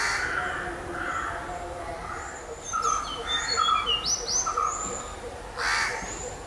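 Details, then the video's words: Tickell's blue flycatcher sings a series of high, sweet whistled notes, some slurring downward, mid-clip, with harsh crow caws at the start and near the end. "Flycatcher calling sound"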